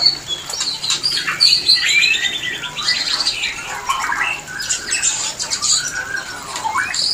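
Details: White-rumped shama calling to bring shamas into breeding condition, with busy high chirps, short trills and slurred whistles tumbling together, followed by a few clicking notes.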